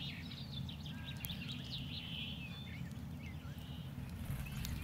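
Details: Brambling calls: scattered short chirping and slurred notes, some in quick runs, over a constant loud low rumble of background noise.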